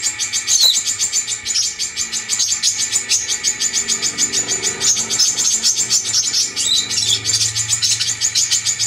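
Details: Brown-throated sunbird, locally called kolibri kelapa, used as a lure: a fast, unbroken stream of thin, high chipping notes repeated several times a second, with a faint low hum underneath.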